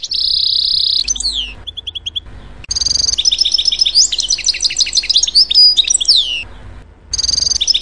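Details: European goldfinch at a garden feeder giving bright, tinkling twitters: a high buzzy note, quick liquid trills and chattering phrases, then more twittering after a short pause.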